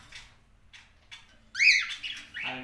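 A cockatiel gives a loud, harsh squawk that rises and then falls, after a few faint chirps.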